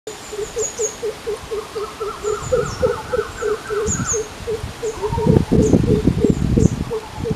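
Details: Greater coucal, also called crow pheasant, in a forest while hunting prey: a steady series of deep, resonant hooting oop notes, about three per second, over thumping and rustling noise, with faint high chirps from other birds.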